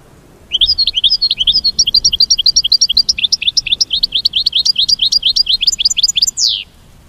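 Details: An American goldfinch's mating call as a long, fast twittering run of high rising notes, slightly uneven in rhythm, ending in a brief down-sweeping buzzy note.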